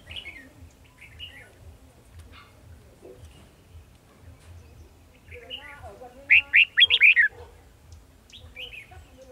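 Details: Red-whiskered bulbul during bird trapping on 18 December 2020: short warbled phrases come every second or two, then a loud burst of rapid, bright chirping notes near the end. A man talks quietly throughout.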